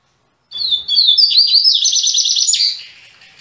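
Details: Captive Double-collared seedeater (coleiro), mequetrefe song style, singing again after three months: after half a second of silence, high bright slurred whistles run into a fast, rattling warble of rapid repeated notes lasting about two seconds, then fading out.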